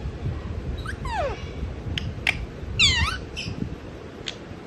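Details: Sleeping parrot producing drawn-out, falling squeaky syllables and brief clicks, scattered over a few seconds against a soft indoor background.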